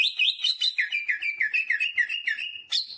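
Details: Greater green leafbird in lively, full song with jamtrok-style fill-in phrases: rapid sequence of clear whistled and slurred notes, each dipping then rising, repeated about twice a second, ending in a sharp high upward flourish.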